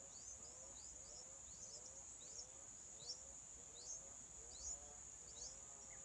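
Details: Wild yellow-vented bulbul mother feeding her chicks on day four: a rapid series of short, high rising chirps, roughly one every second, over a steady shrill insect drone.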